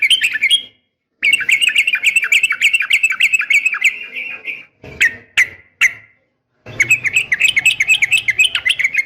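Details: Female yellow-vented bulbul calling a male in a sharp fighting call for training caged birds: long stretch of rapid chattering notes, a few isolated single chirps, then another fast, bouncing burst.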